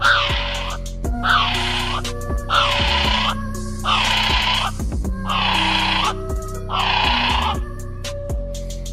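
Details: Kiwi screeches called terrifying: six harsh, hoarse, broadband cries, each under a second and falling slightly at its end, repeated every one to one and a half seconds over background music.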